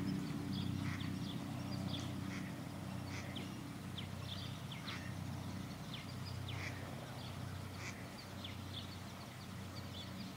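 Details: Purple martins (Progne subis) circle a backyard birdhouse under a blue sky, calling with scattered short chirps and gurgles. Several birds overlap at an irregular pace over a steady low background rumble.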